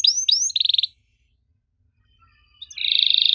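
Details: Canary singing to prompt a reply from young canaries: two up-slurred whistles and a short buzzy trill, a long quiet gap, then a sustained rolling trill.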